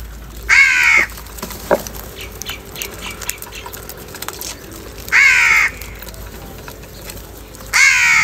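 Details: Morning crow fight over food: three loud, raspy caws, each about half a second, separated by gaps of roughly four and two and a half seconds, with a faint background hum.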